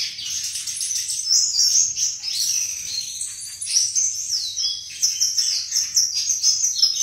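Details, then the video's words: Sustained flycatcher song, called melodious: a dense stream of high twittering notes mixed with clear whistled slurs and a few falling phrases, varied and almost unbroken throughout. "Burung Sikatan Bersuara Merdu dan indah"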